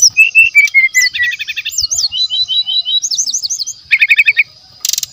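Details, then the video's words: Brown-chested jungle flycatcher from the wild, recorded as a lure: a dense, varied run of sliding whistles, rapid rattling trills and looping high notes, ending in a fast trill and a brief buzzy burst. "SRDC GACOR DENGAN SUARA ASLI ALAM, PANCINGAN SRDC MASTERAN"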